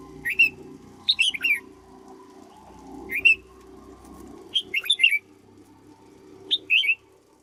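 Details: Cage-kept red-whiskered bulbul under training as a decoy delivers five short whistled bursts at irregular spacing, each two to four quick liquid notes, against a low rumbling background hum.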